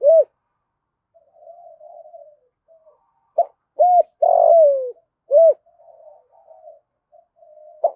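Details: Spotted dove giving rapid urging coos for decoy luring: sharp arched notes and one long rough coo gliding down in pitch, separated by low soft murmuring, in a quiet background.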